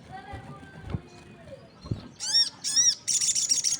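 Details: Crested jay in full voice with other birds answering: faint whistles first, then two loud arched downslurred notes and a fast dry rattling series closing the recording.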